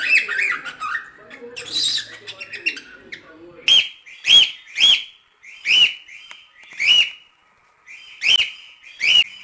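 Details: Cockatiel calling: soft mixed chirps and chatter at first, then seven loud, sharp whistled calls, each a quick rising-falling note, repeated roughly every second with short silences between.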